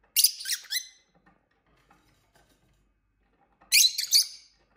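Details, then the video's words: Pet lovebirds indoors at play and squabbling, giving two bursts of harsh, rapid squawks separated by several seconds of near silence. "Lovebirds play day"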